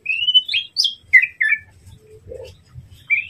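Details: White-rumped shama song meant to provoke a rival: a few clear whistled notes, a steady whistle, then quick up-and-down slurs and short two-note phrases with gaps, then a soft low note and a final rising whistle.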